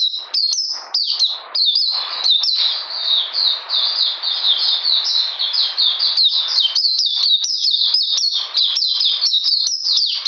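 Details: Oriental magpie-robin in cold rainy weather, 13 June 2020, delivering a steady, rapid series of high piercing chirps and short downslurred whistles with hardly a pause.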